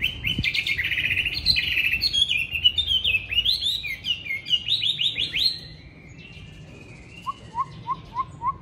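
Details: Hanoi, windy first cold day: a caged, fight-trained Chinese hwamei pours out a long, loud, varied whistled song of swooping phrases, then shifts to a slower string of lower repeated notes about twice per second.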